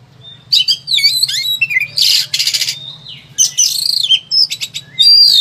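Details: Agitated Oriental magpie-robin in a cage, a recording used to train other birds: squeaky whistles mixed with harsh scratchy rattling bursts and rapid chatter, over a low steady hum.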